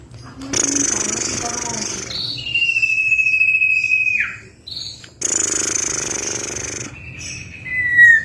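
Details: Female common iora calling a male, used as a lure: two long bursts of harsh, hissing rasping separated by a sustained whistled note that falls steeply at the end, with a final short descending whistle.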